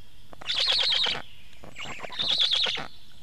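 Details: Black stork at its nest during feeding, 24 June 2017 at 19:52; two harsh, rapidly pulsed rasping bursts, each lasting under a second, separated by a short pause, over a quiet background.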